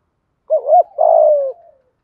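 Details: Cage-kept spotted dove cooing in 'thúc gù' urging style with 'giọng thổ' low voice: a quick two-note hoot, a short gap, then a long vibrating coo drifting downward and trailing off softly.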